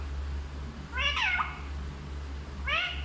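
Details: Hindi-speaking parrot giving one longer wavering, voice-like phrase followed by a brief rising syllable. A low electrical hum sits throughout.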